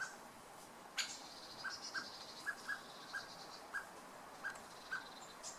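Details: Male common blackbird calling to his chick, giving a steady series of short, clipped mid-pitched notes roughly every half second, with faint high chirps of other birds and a sharp click near the start.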